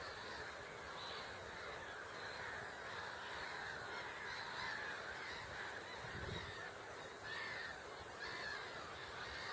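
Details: Several great crested grebes on Hubertus 2 pond, Katowice, 26 March 2021, giving rough honking, braying calls roughly once a second, uneven in rhythm, against constant hiss-like background noise.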